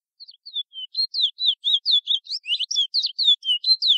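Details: Chestnut-bellied seed finch from French Guiana delivering its local "Ananas" song: a few soft opening notes, then a rapid, high string of sweet, varied chirps and slurred twitters, steadily paced, with no background sound.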